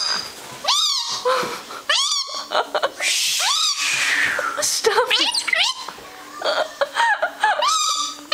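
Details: Pet galah, a six-year-old male rose-breasted cockatoo, cackling and laughing indoors while dancing: loud harsh rising and falling squawks with chattering bursts, mixed with people talking to the bird.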